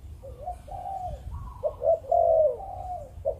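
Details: Spotted dove of Malaysian breeding stock cooing in the 'Chụp Chụp Ô' style: soft drawn coos, then a quick clipped note leading into a long, loud, level coo that fades at the end.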